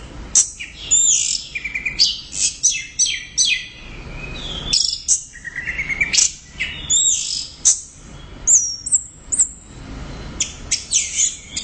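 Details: Orange-headed thrush (anis merah) in vigorous, loud 'gacor' singing: a rapid stream of high whistled notes, sharp downward sweeps and buzzy trills in varied phrases with short pauses. No other clear sounds.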